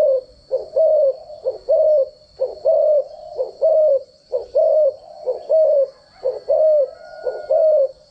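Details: Spotted dove used as a decoy bird, its standard cooing used to train other doves' voices. Low, hollow coos in quick paired bursts, about one a second, with a steady high thin whine throughout.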